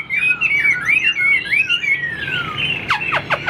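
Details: Caged, tame Chinese Hwamei with its tail held fanned, singing loud, clear whistled phrases of rapid rising and falling slurs, then a long descending glide and a few sharp downward-sweeping notes.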